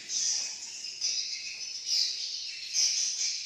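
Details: Swiftlets in Malaysia, a dense chorus of high, thin twittering chirps in swelling bursts roughly every second, with a steady hiss-like background of many birds calling together.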